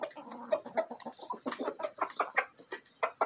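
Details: Backyard rooster and hens, Bielefelder and Marans mix with Araucana and Egger hens, during a feeding frenzy; quick bursts of loud clucks and short squawks, several per second, with sharp pecking clicks.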